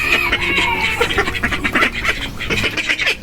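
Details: Backyard domestic ducks in the Philippines, their calls pointed out by the keeper: a run of short, nasal, rapidly repeated quacks, some overlapping, with a man talking over them.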